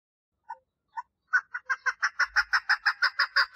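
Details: Female chukar partridge calling for mating: two soft, spaced notes, then a run of loud, harsh clucking notes that speed into a steady series of about six per second.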